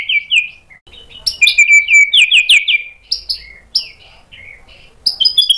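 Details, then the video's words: White-rumped shama, agitated by a lure recording into answering with energetic song that shows its imitated material; clear whistled notes, several sharply falling slurs in quick runs, then scattered high whistles and short chips separated by pauses. "PANCINGAN MURAI BATU BIKIN EMOSI JADI NYAUT GACOR BONGKAR MATERI ISIAN | SHAMA BIRD"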